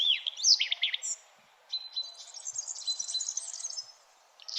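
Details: Birds chirping at sunrise in the early morning: high, bright twittering phrases with a quick sweeping whistle at the start, a short pause, then a long run of rapid, jumbled high chatter until a brief gap near the end.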